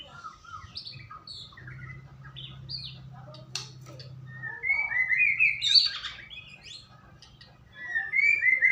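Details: White-rumped shama singing, played as a lure to make another bird sing: scattered high chips over a steady low hum at first, then bright, fluting whistled phrases rising and falling in the second half.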